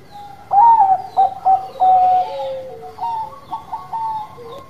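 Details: Bangkok-type zebra dove singing to lure and stimulate other birds: a bright rising coo, several short clipped notes, a held level tone sliding lower, then a softer run of quick coos.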